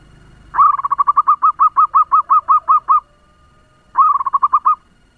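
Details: Local zebra dove used as a lure bird, singing fast to stir up other doves: a rapid run of about a dozen short, cooing notes, each rising then falling, then a pause and a shorter burst of six.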